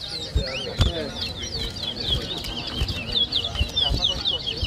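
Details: Towa towa (large-billed seed finch) whistling in a 2023 bird-whistling competition in New Amsterdam, Berbice, Guyana: fast, looping high warbled whistles run almost nonstop, over crowd chatter and sharp thumps.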